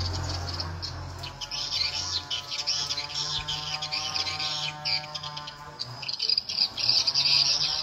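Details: Swiftlets answering the SP Tripel Queen lure playback meant to draw them in: busy stream of sharp, high chattering chirps, denser in bursts, with a low droning hum beneath.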